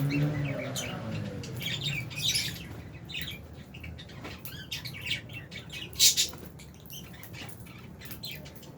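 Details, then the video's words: Albino and Fisher's lovebirds kept in an aviary colony give a busy chatter of short, sharp high chirps and squeaks, some bursts louder than others, over a steady low hum. "Lovebirds Chirping Sounds"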